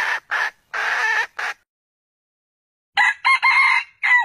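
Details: Red junglefowl (wild chicken) rooster giving a clipped, hoarse crow twice; each crow has four ringing syllables with a drawn-out third note, about three seconds apart.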